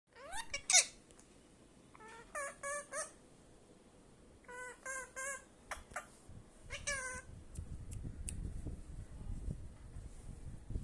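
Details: Pet parrot mimicking words and sounds, including "kaka kaka"; several bursts of harmonic, voice-like syllables with rising and falling inflections, spaced by short pauses, then faint low background rumble in a small room.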